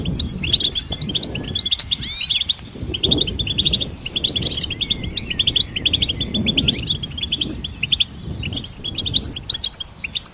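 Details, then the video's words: Extended goldfinch song: fast, chattering run of high metallic notes, with swooping whistled slurs early on and a rumbling low background. "Goldfinch Symphony orchestrated by nature's motivational melodies"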